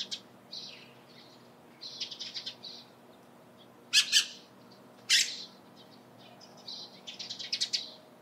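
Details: Dusky Thrush calling around Lake Hamana near the Kanzanji hot spring area, Japan: two loud, harsh, high chattering bursts a second apart, framed by softer clusters of scratchy high chirps before and after.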